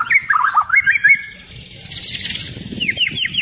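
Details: Energetic white-rumped shama song packed with imitations, used as a lure: quick looping whistled notes, then a harsh buzzy stretch and several sharp downslurred whistles in a row.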